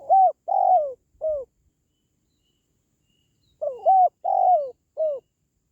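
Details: Call of a spotted dove, intended to raise the spirit of household pet doves or to draw wild doves when trapping; two matching phrases of four coos, the third drawn out and falling, separated by a quiet gap.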